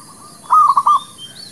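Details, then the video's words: Brief phrase of a local Zebra dove, recorded as a lure for trapping and for new birds: a soft note rising into three quick stuttering coos, with a faint high whistle afterwards. "SUARA PANCINGAN MERBUK KAMPUNG / PERKUTUT LOKAL...UNTUK PIKAT DAN BURUNG BARU"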